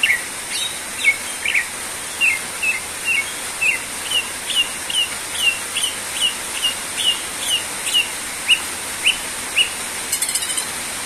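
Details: Greater green leafbird singing steadily as a lure to get other birds singing: a long run of short, bright downward-flicking notes, evenly spaced about every half second, over a steady hiss.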